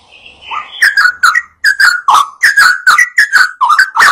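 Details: Yellow-vented bulbul in full lively song, meant to lure other birds to sing along: a soft rising whistle, then a string of loud, clear, warbling notes, roughly one every half second.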